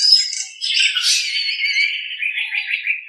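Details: Nias hill myna on a master recording made to train other birds, giving a harsh, noisy, rasping phrase that drifts downward and wavers for about three seconds.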